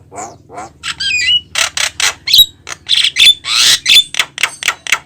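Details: Javan myna singing energetically, described as making other birds join in. Loud rasping squawks and chatters in quick succession, mixed with short whistled slurs and bright high notes, almost without pause.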